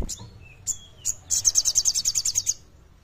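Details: Kleper-style singing from a common iora, meant to spur less active birds: a few separated sharp high chips and a thin whistle, followed by a quick ringing trill of about fourteen evenly spaced pulses.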